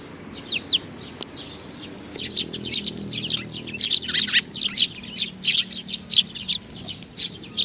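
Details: Young sparrow starting with scattered soft peeps that build into a busier stream of high, sharp chirps in the second half.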